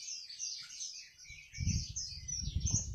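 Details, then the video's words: Wambi song, a continuous high, chattering warble of quick chirps and trills, with low thumping noise joining from about halfway through. "Kicau Burung Wambi Mini"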